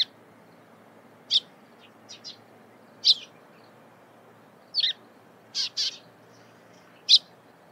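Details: Morning calls of a Eurasian tree sparrow: scattered bright chirps, some single and some doubled, spaced irregularly about a second apart against quiet surroundings.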